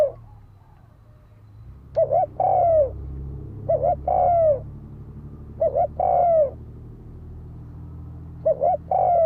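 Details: Repeated spotted dove coos used to provoke fighting: four two-part phrases of a short hoot and a long descending mellow note, steadily spaced about two seconds apart over a low rumbling hum.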